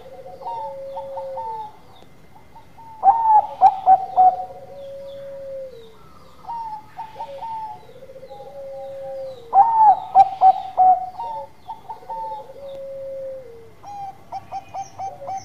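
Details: Bangkok zebra dove singing vigorously in manggung style, the phrase repeating about every six seconds: light clipped coos building into a loud rattling burst of notes, then a long, mellow, downslurred coo.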